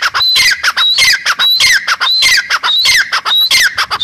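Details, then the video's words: A grey francolin calls loudly and harshly, repeating a shrill squawking phrase with a high whistled note falling away, about every two-thirds of a second, with laughter and music in the background. "Teetar awaz | teetar ki boli | gray partridge voice | dakhni teetar voice"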